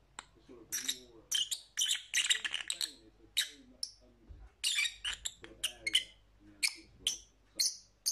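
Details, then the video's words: Excited lovebird chatter of shrill, buzzy chirps in quick clusters, pausing briefly mid-way, with a soft low murmur in the background. "Lovebird Sounds for Lonely Parrots"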